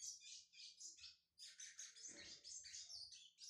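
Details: A brown (pardo) Lined Seedeater warming up: dense, high twittered phrases with buzzy trills, broken by a brief pause, then resuming just as rapidly.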